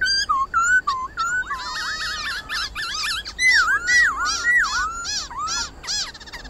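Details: White-cheeked laughingthrush in 'wild voice' song, used to train young caged birds: dense, overlapping whistled phrases with zigzag slurs, bright harmonics and near-continuous delivery, like a lively chorus of loud fluting notes.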